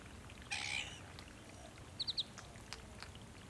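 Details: South-eastern Glossy Black-Cockatoo (Calyptorhynchus lathami lathami) at a favoured foraging zone on the Kings Tableland, Blue Mountains, NSW, Australia, March–October 2022: one harsh, wheezy, drawn-out call lasting half a second, then a quick triple chirp from another bird and faint clicks.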